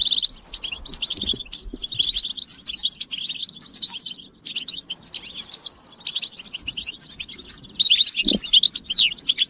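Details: European goldfinches in a group chorus, recording meant to stimulate males and break their silence, with mating calls; dense high twittering and rapid chirps run almost nonstop, with a few short pauses and faint low thumps.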